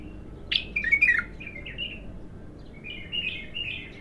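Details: First song outburst of an untrained bulbul: a sharp note followed by a tumbling run of warbled whistles, then softer, higher gliding notes.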